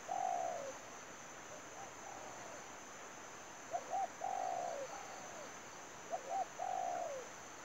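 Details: Spotted dove used as a lure for trapping repeats its coo phrase three times: short doubled notes leading into a longer, downward-sliding coo, spaced a few seconds apart. A steady faint high whine is present throughout.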